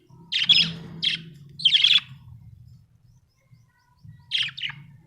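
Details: Budgerigars kept at home chirping in quick, sharp, high clusters: three bursts close together, then a pause and a final double chirp over a faint low hum.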